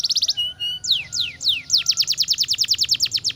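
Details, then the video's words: Canary song that opens with a quick burst of repeated notes and two level whistles. Three slow downward sweeps follow, then a fast, even series of bright clipped notes, about three per second or more. "KICAU MANIA "KENARI""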